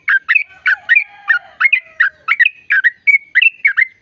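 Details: Caged sooty-headed bulbul singing a long trill meant to provoke other birds into song: fast chirped notes with brief whistled tones and a faint lower whistle in the background.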